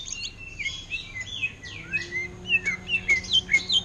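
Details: Greater green leafbird in a cage, offered for sale, delivering orange-headed thrush style song: sweeping whistled notes sliding down, then a brisk sequence of bright repeated slurs.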